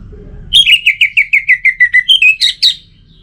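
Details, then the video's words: Orange-headed thrush song, played to stir birds that are reluctant to sing: a run of about twelve loud, rapid whistled notes that step slightly downward, ending in two higher, sharper notes. Faint low rumble underneath. "Obat Gacor Burung ANIS MERAH Buat Burung Yang Lagi Malas Bunyi"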